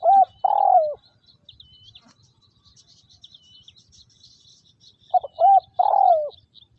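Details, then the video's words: Decoy spotted dove from Vietnam, kept for trapping, with two coo phrases, each of a brief note, a rounded coo and a longer downslurred coo. They are separated by a quiet gap filled with thin high chirps from other birds. "Tiếng Chim Cu Gáy Liêu Rồng Mắt Lé Chân Cua Mồi Đất"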